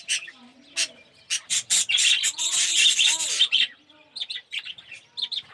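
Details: Budgerigars in an aviary colony of red-eyed yellow birds; sparse chirps build into a loud continuous warbling burst, then fade to softer scattered chirps.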